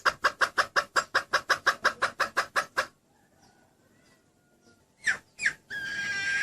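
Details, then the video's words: Hen red junglefowl call that brings the male to her: a quick run of about fifteen regular clucks, then near silence, two louder harsh notes and a burst of hissing noise at the end. "Suara ayam hutan betina Si jago langsung menghampiri"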